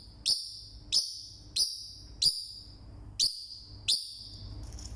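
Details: One caged Forpus parrotlet, described as very loud for a single bird, gives six shrill high squawks at irregular intervals under a second apart, each sharp and quickly fading, with faint low rumble behind.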